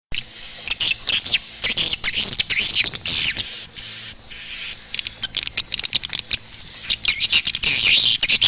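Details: Swiftlet lure call named SP. KADITA, made for swiftlet farmers to draw birds to nest houses: dense overlapping high twittering chirps and sweeping squeaks, with sharp clicks scattered throughout.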